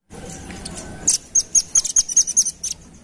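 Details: Velvet-fronted nuthatch lure call: a soft noisy start, then a quick sequence of around ten shrill chipping notes, each brief and high, delivered about six per second.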